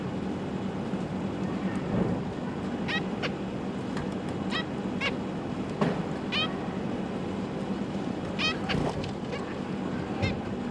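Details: Captive zebra finch family with juveniles and newly fledged chicks practising flying, 12 December 2022; scattered brief nasal, trumpet-like calls in small clusters across the recording, with a constant low background hum and faint clicks.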